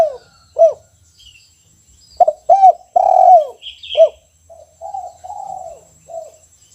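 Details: Caged spotted dove singing actively in the 'kuk 1' song style: low, arched cooing notes, a short rising coo followed by a long drawn-out coo and several softer clipped coos, with faint high chirps from other birds.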